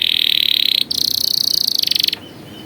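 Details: Short canary training-song fragment: a bright, sustained high trill, a quick break, then a buzzy pulsed roll that cuts off abruptly.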